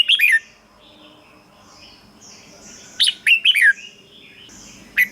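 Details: Red-whiskered bulbul song intended to stir caged birds: a quick whistled flourish, nearly three seconds of near-quiet, then a second bubbly phrase of descending whistles.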